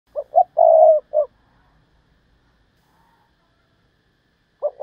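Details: Decoy spotted dove giving the Thúc Lợi Cốt call style: two short low coos, a long steady coo and a clipped final note, with the phrase beginning again after a silent pause of about three seconds.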